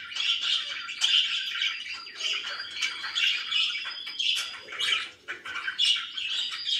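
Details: Very happy pet budgerigars in a room, warbling and chirping nonstop, with sharp squawks and quick tweets layered over a steady chattering flow.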